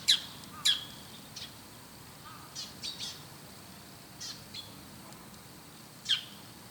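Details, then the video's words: Bull-headed shrike perched high in a treetop in the morning, looking around while calling: three loud, shrill, sharp calls spaced several seconds apart, with softer short notes between them. "モズの朝の鳴き声 Bull-headed Shrike"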